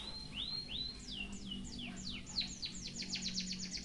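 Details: White-headed munia singing a song filled with canary-style phrases, used for song tutoring: a few slurred rising whistles, then a run of quick falling sweeps that speed up into a dense series, over a steady low hum.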